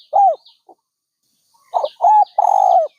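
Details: Dove giving an arched hoot, then after a pause a cluster of three coos ending in a longer buzzy note. Faint thin chirps of other birds sound above.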